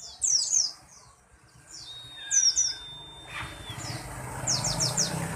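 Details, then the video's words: A pleci buxtoni white-eye sings short sharp high twitters, then one long steady whistle, then another quick run of squeaky chirps as background noise rises. "pleci buxtomi"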